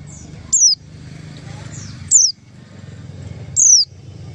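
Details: White-eye call used as a lure for attracting white-eyes: three thin, high whistled notes, each sliding steeply downward, spaced about one and a half seconds apart over a steady low hum.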